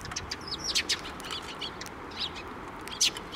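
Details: Sparrows gathering to be fed on the way to a Tenmangu shrine, 19 April 2024; sharp bouncing chirps and short twittering notes, scattered across three seconds over faint ambient noise.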